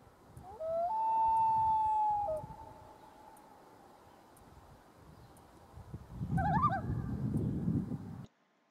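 A Common Loon gives a haunting wail: one long, pure note that steps up and is held for about two seconds before fading. A rumbling, noisy burst follows.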